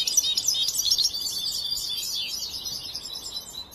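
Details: European goldfinch still in song training, a young bird, pours out a dense, rapid, high-pitched twittering stream of jingling notes that gradually softens toward the end.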